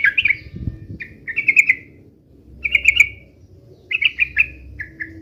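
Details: Yellow-vented bulbul fighting song in short, separate bursts of two to four rich, bubbling notes, spaced about a second apart, with a faint low knock early on.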